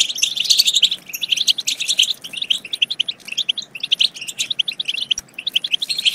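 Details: European goldfinch twittering used to stimulate goldfinches to sing and mate: dense, rapid high chirps and trills in bursts, with a brief quieter gap near one second and again near five seconds.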